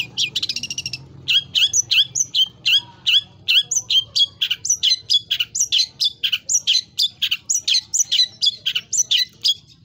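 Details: Long-tailed shrike in loud, vigorous song full of imitations, sung high and low; an opening harsh rattle leads into a dense stream of varied sharp whistled and chipped notes at a rapid pace.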